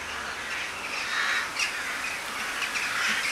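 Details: A flock of western jackdaws (Corvus monedula) in Uppsala keeps up a dense, overlapping chatter of short, sharp 'tchack' calls, with no single bird standing out.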